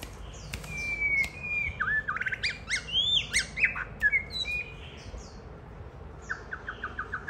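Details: Caged White-rumped shama singing while a child plays with it and it pecks at the hand: varied whistled phrases, rising and falling slurs, a steady whistle, and a fast stuttered run of short repeated notes near the end.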